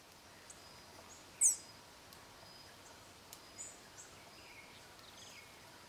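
A fawn-breasted tanager gives a single thin, very high, sharply falling call note.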